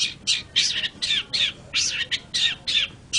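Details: Long-tailed shrike (cendet) giving loud, harsh squawking calls, rasping notes repeated roughly every third of a second in a scolding series.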